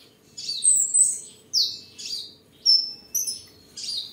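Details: Home-kept tame seven-coloured sunbird, Đồng Nai province, Vietnam, 23 July 2022, singing, displaying and sparring: a rapid series of high, sharp chirps roughly once a second, with thin whistled notes drawn out between them.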